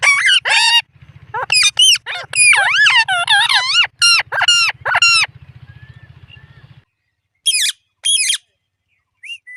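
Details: Indian ringneck parrot speaking the words "mitthu" and "mammi": a dense run of harsh, bending, harmonic syllables over a low steady hum for about seven seconds, then two short squawked bursts after a pause.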